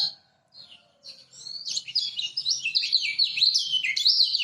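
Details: Lemon-bellied white-eye from Lombok singing a master song used to lure silent birds: a few faint high notes, then a rapid, continuous warbling twitter of high, sweet chirps.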